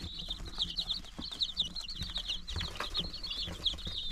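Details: Chickens at nine days old on March 19, 2022, peeping constantly with bright, high, quick chirps from several birds at once, accompanied by light scratching and faint bumps.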